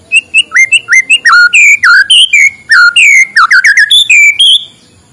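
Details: White-rumped shama singing in the morning, played to stimulate reluctant birds: a rich, varied run of clear whistled notes. Some notes slide up, others dip or are clipped, all delivered in quick succession with no other sounds.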